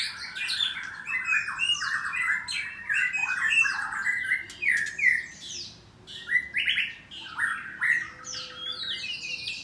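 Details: Morning song of a white-rumped shama in a breeding aviary in Bogor, Indonesia: continuous bright whistles mixed with quick high chips and scratchy notes, delivered in bursts with short pauses between.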